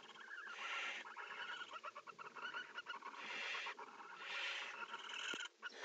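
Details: Inside a nest box, mating barn owls mix rough hissing screeches with rapid, stuttering chitters and twitters, plus a sharp knock near the end.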